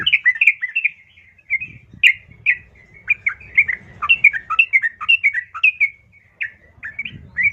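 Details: A female yellow-vented bulbul calls to a male in a long, uneven babble of quick gurgling and chirping notes, with short pauses. A low rumbling noise sounds underneath in places.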